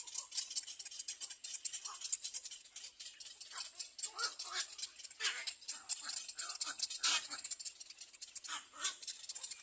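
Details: Little egret chicks at a nest screaming for food: harsh, raspy broadband calls in irregular bursts over a steady high rattling hiss, with no other clear sounds.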